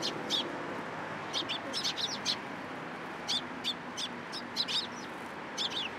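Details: At a Tenmangu shrine on 14 April 2023, sparrows fly onto a hand for food, giving bright, clipped chirps in loose bursts of two to four with short pauses between.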